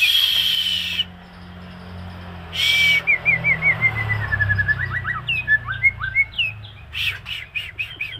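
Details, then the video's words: White-rumped shama in moult, singing a series of clear whistled notes that slide downward. These give way to fast, jerky, chattering trills, with brief bursts of noise and a low rumble in the background. "Suara Murai Mabung"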